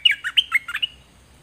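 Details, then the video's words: Caged zebra finch singing for use in teaching chicks to copy: about a second of quick, buzzy, harmonic syllables in a tight run, then quiet. "เสียงนกดอกแตงเจ้าเพชรกับเจ้ามณี เสียงใหม่ล่าสุด2020ไว้สำหรับต่อ ใช้หัดลูกนกให้ร้องตาม"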